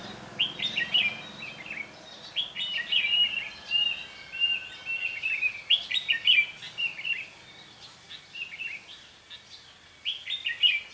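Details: Decoy red-whiskered bulbul singing while wild birds are being trapped: lively, warbled phrases of short chirps in steady bursts throughout, pausing briefly near nine seconds before resuming loudly.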